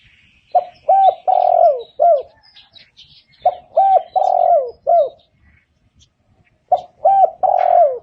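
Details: A spotted dove coos in three repeated phrases, roughly one every three seconds. Each phrase has a short note, another short note, a long falling coo and a brief final note, all low and mellow. Faint background twittering is also audible.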